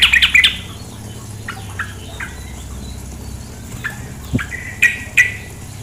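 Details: Sooty-headed bulbul, female, with flowing water behind. An opening cluster of fast high chirps is followed by isolated sharp notes spaced irregularly, roughly every half second to second.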